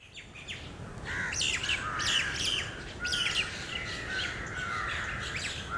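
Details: A flock of crows under a tree at Lalbagh Park, Bangalore, calling as grains are thrown to them: overlapping harsh squawks and caws over steady low rumbling background noise.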